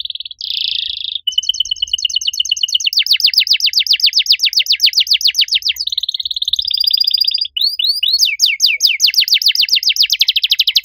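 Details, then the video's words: Loud, lively canary song in a unique style: a dense buzzing trill, a long chattering rattle of rapid notes, another buzz, then curling whistled sweeps into an extended fast series of falling notes. "Kenari gacor suara nyaring cengkok unik"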